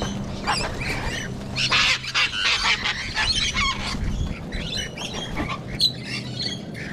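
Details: Cockatoos in Sydney, Australia, sharing the spot with Rainbow Lorikeets: loud, harsh, honking screeches in rough clusters, mixed with shorter squawks and background chatter.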